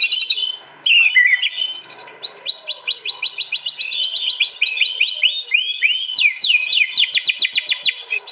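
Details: White-rumped shama in fierce competition song, East Java, recorded on a phone for a combined master track: a sharp opening phrase, then long bursts of rapid, high, sweeping notes repeated about three to four per second, growing denser.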